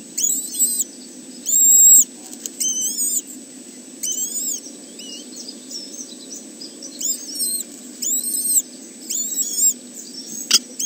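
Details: Kestrel nest holding three chicks, recorded by a webcam at the Arne reserve on 30 May 2013. Shrill, high, arched squeals repeat in quick bursts, roughly every second, with short pauses between groups over steady low hiss.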